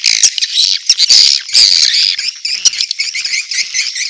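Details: Edible-nest swiftlet mating call mixed with chick calls: a dense, continuous stream of high, buzzy, rapid chirps and twittering clicks, overlapping without pause, with sharper squeaky notes at intervals.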